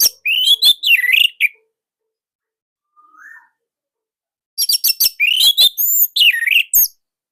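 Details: Orange-headed thrush from Indonesia singing nonstop, a loud, tight song used as training material for other thrushes; rapid bursts of sharp chirps and slurred whistles, a pause with a faint whistle, then another dense burst.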